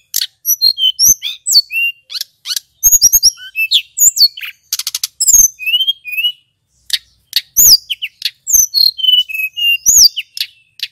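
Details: Lure song of a male Little Pied Flycatcher, meant to excite other flycatchers: a dense, varied stream of very high chirps, twisting whistled slurs and trills, with a quick buzzy rattle midway and brief gaps.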